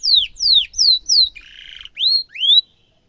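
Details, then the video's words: Canary delivering sharp song phrases used to tutor young birds: four loud whistles sliding steeply downward, a short buzzy, nasal note, then two rising whistles, in a quiet room with faint low thumps. "kenari gacor ngerol tajam cuit cuit"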